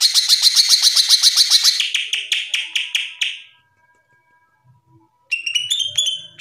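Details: Greater green leafbird, nationally top-ranked, singing a masteran: fast rattling trill of repeated notes that slows and fades, a pause, then sharp whistled phrases resume.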